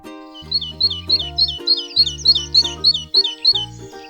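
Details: A tit, a wintering bird, sings a bright, high chirping phrase, repeated about three times a second, over soft background music.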